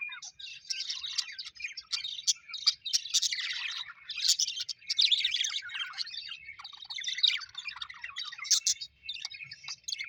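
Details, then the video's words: Pet budgies chatter happily in restless, overlapping chirps, squeaks and scratchy warbles that rise and fall in loudness without a break. "Happy budgies chirping sound"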